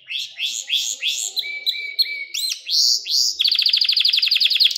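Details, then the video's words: Pet canary tutor song: slow swooping rising notes, a thin steady whistle, looping upward calls, then a very fast rolling trill of rapid bright pulses, sung for training young canaries. "Ders Gibi Kanarya Sesi Ve Ötüşü"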